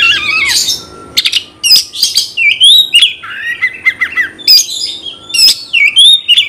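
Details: Lively Oriental magpie-robin song aimed at provoking rivals: a rapid mix of clear whistles, downward slurs, and scratchy, buzzy notes, delivered in quick bursts with brief breaks, and a faint steady tone in the background.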